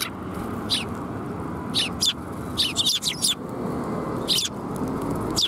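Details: Sparrows arriving to be fed at Tenmangu shrine on 28 January 2021: brief bright chirps, singly and in quick clusters about once a second, against constant low-pitched background noise.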